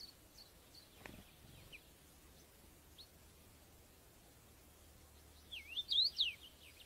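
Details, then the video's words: Common rosefinch, UK field recording: faint scattered high chirps, then near the end a loud clear whistled phrase of swooping up-and-down notes lasting about a second, over quiet low background hum. "Common Rosefinch UK Birds. Bird Song"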